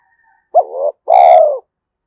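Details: A spotted dove with a 'giọng thổ' voice, described as fit for forest luring, gives a single clear coo: a brief rising opening note, then a sustained rich, slightly falling tone.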